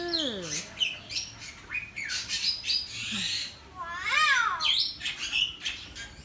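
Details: Hill myna caged in a Sanur residential area on Bali in July 2019, a Bali myna also present; a dense run of harsh squawks and warbled harmonic calls, with faint human speech.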